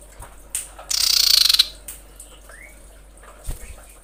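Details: A female common iora calling the male delivers one loud, fast, grating rattle lasting under a second, followed by a soft upslurred whistle and scattered faint clicks.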